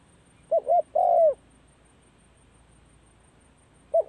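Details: Cooing spotted dove, practising as the cold season begins: two brief coos followed by a long, mellow, downward-sliding note, then a new phrase begins just before the end.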